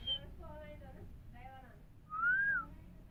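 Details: Indian parrot said to talk Mithu Miya Mithu: a string of short speech-like harmonic syllables is followed by a loud, arched, whistled note, with a faint hum behind.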